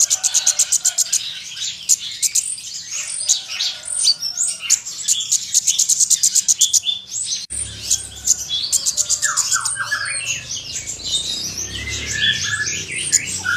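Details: Oriental magpie-robin singing openly and firing off learned filler phrases that provoke other magpie-robins: rapid, varied, high-pitched chattering and whistled notes in dense bursts, with sharp repeated clicks early and lower swooping whistles later.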